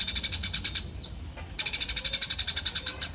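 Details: Eurasian tree sparrow uttering two bursts of rapid, evenly spaced shrill chirps, roughly six per second, separated by a brief pause with a thin steady high tone.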